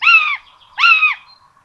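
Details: A common buzzard nest in Tiszalök, Hungary, 26 June 2022, where two chicks get a rabbit for breakfast. Two drawn-out, level harmonic mewing notes, each dropping at the end, come about 0.8 seconds apart.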